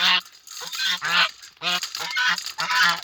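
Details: Farm geese approaching the farmer at a muddy pond on a September morning, honking: rough, nasal honks repeated about once a second in uneven clusters, several birds calling together.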